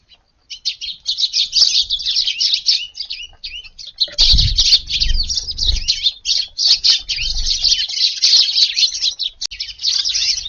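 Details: Eurasian tree sparrows at their morning feed in a garden, having come at daybreak on a hot August 19th; almost unbroken, busy high-pitched chirping and twittering from several birds, with a low rumble of movement around the middle.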